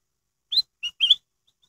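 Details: Black-headed bulbul singing a lure song intended to make other bulbuls sing: a three-note whistled phrase, clear and crystal-toned, ending in a warbling note, followed by faint tiny ticks.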